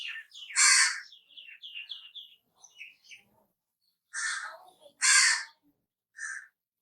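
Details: Harsh crow calls: one strong grating note opens, followed by a run of short chirping notes, then two more loud rasping calls close together and a final short call.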